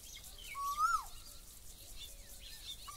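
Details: Asian koel giving a single clear whistled note that rises, then drops away quickly, over a quiet background with faint hiss.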